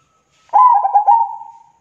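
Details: Single zebra dove song phrase: a sharp onset into fast, trilled stuttering coos that smooth out into a long, gently fading tone, heard cleanly without background noise.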